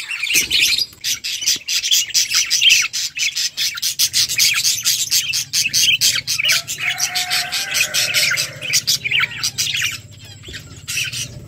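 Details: Flock of budgerigars chirping while eating: dense, continuous chatter of high, scratchy chirps and warbles overlapping throughout, with a low steady hum beneath.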